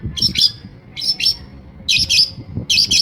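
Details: Long-tailed shrike copying other birds' calls: paired harsh, high chattering notes repeated in short bursts, with low rumbling noise underneath.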